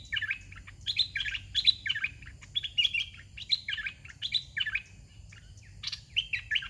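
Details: Caged red-whiskered bulbul, bird no. 61, in a training session, singing the 'soe pa' song phrase; bright warbled phrases sliding between mid and high pitch, delivered in quick bursts with short gaps, quiet background.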